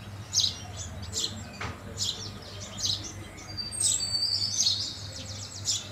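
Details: House sparrows feeding give quick chirps every half second or so, with a drawn-out whistled note from another bird near the end and low background hum.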